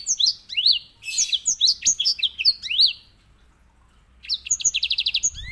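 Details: Grey singing finch (white-rumped seedeater, Crithagra leucopygia) sings a quick run of high, sweeping whistled notes, pauses, then ends with its typical fast, even rolling trill, used as a tutor for canaries.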